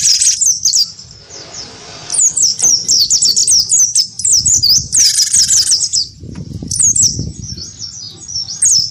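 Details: A wingko gelatik batu gives its fighting sound against a white-eye: bursts of fast high slurred chirps and one harsh rattle, separated by short gaps with low background rumble.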